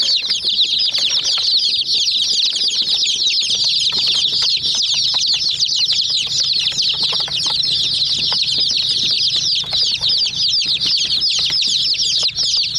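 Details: Sustained chatter from numerous young chickens crowding a miniature toy jeep: high, sharp, constantly overlapping chirps with occasional faint knocking and a low background hum.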